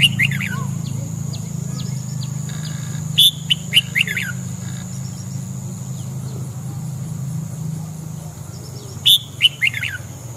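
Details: Morning song of red-whiskered bulbul for voice training: brief lively phrases of three or four sharp chirped notes, one group near the start, two mid-clip and one near the end, faint chirps and low hum throughout.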